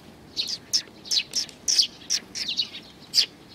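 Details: Sparrows at a Tenmangu shrine on 31 May 2019 give a lively string of sharp, high, metallic chirps, roughly two or three per second in uneven rhythm, over a quiet background.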